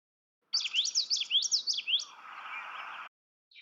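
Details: A Common Yellowthroat in central Wisconsin, a wetland and marsh bird, sings a quick run of high, rolling, repeated phrases, about five in a second and a half, ending in a softer, lower buzzy tail.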